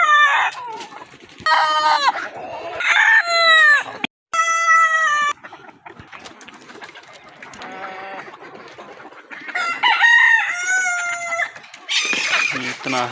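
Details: Repeated rooster crowing, several crows in succession with short gaps. Each is a loud, harmonic, stepped call, and soft clucks fill the pauses between them.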